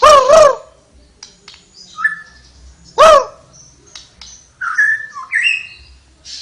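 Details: Lively flowerpecker song with two loud, rough, arching notes about three seconds apart, each followed by short thin whistles that rise and fall in quick slurred phrases.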